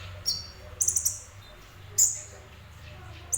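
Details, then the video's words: Semi-active singing of a sunbird called kolibri ninja locally: short bursts of very high, buzzy chips, a quick triple cluster then a single sharp note, with low background hum. "Burung Kolibri Ninja Semi Gacor"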